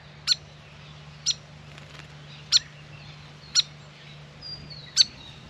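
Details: Grey fantail visiting a backyard birdbath while bathing, with five sharp high chip notes spaced roughly one second apart over a steady low hum.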